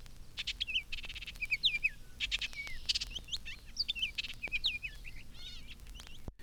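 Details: In spring under elms, several Baltimore Orioles are present while females build hanging nests over a roadway. Loud, rich, slurred whistles mix with harsh rattling chatters, as the female often chatters in response. Faint low hum.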